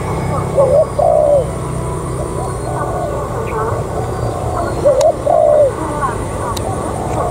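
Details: Spotted dove serving as a decoy, giving two cooing phrases about four seconds apart, each a short upslurred note followed by a longer falling coo, with low background hum.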